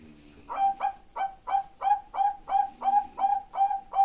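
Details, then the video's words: Zebra dove of the Bangkok type singing a full song in a slow rhythm: a low cooing phrase, then about ten short, even, ringing coos repeated roughly every third of a second. "Perkutut bangkok suara lengkap IRAMA LELAH MANTAP"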